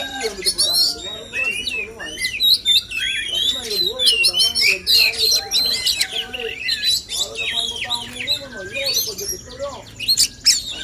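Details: Male oriental magpie-robins singing in a contest meant to boost their singing; dense overlapping whistles and chatter mixed with lower warbling phrases, continuous and varied throughout.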